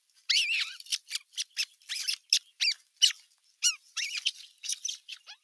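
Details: Osprey nestlings, the bigger chicks, clashing at nest #1 in mid-June 2023, an adult looking on from its perch: sharp, high squeaky yelps repeated several times a second in choppy runs, a few dropping steeply in pitch.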